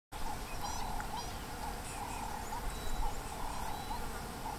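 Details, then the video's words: White-browed coucal in Tarangire National Park, Tanzania, giving a steady run of hollow, bubbling notes at a fairly quick pace, with faint high chirps from other birds and a low rumble of background noise. "White-browed Coucal"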